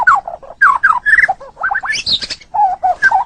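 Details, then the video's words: Caged white-rumped shama, murai batu, giving low warbled whistles and chuckling notes with a short high twitter in the middle. "Ocehan Suara Burung Muraai Batu"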